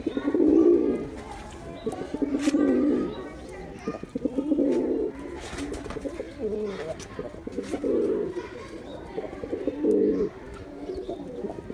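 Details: Male pigeon calls: deep, throaty coo phrases rise and fall in bursts roughly every two seconds, several birds overlapping against a steady low murmur.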